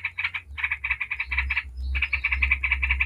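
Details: Yellow-vented bulbul chattering in ngebren style as a lure for other bulbuls: two runs of rapid, buzzy, evenly spaced notes split by a short silence, with a low hum underneath.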